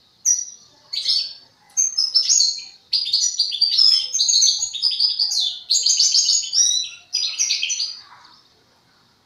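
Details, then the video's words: Immature European goldfinch working on its song, loud and close, delivering repeated phrases of high jingling twitters and rolling buzzy notes separated by short breaks. "حسون جان في مرحلة تفريز الغناء"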